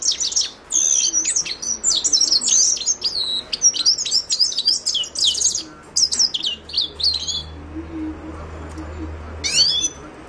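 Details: Himalayan goldfinch delivers a long, lively twittering song of quick chirps and trills for about seven seconds, then falls quiet apart from a faint low hum and one final sharp chirp.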